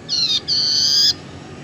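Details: Tailorbird lure sound meant to attract birds and prompt a reluctant one to sing: two loud, sustained, nasal high whistles, the second about twice as long as the first, with quiet background hiss.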